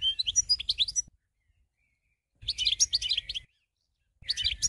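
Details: European goldfinch song in short bursts, each about a second of dense, liquid twittering and high chirps, with pauses between them and a faint low rumble underneath.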